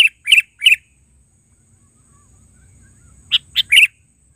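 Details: Sooty-headed bulbul giving three bright chirps, a silent gap, then another group of three quick notes, with little background noise.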